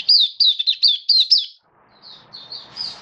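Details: Captive oriental white-eye on its 7th day of a song-booster product sings a rapid string of high, thin, twittering notes, about five phrases in a second and a half, then softer twitters follow.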